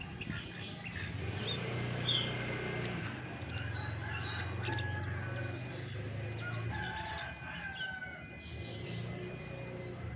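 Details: Chestnut-backed thrush singing: a busy run of high, varied whistled and chirping phrases, some rising and falling, delivered almost without pause over a steady low hum.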